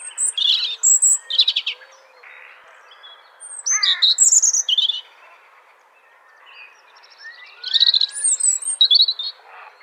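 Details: In a forest, a robin sings bursts of high sweet twittering and trilled notes, each phrase lasting about two seconds, then falling silent before the next.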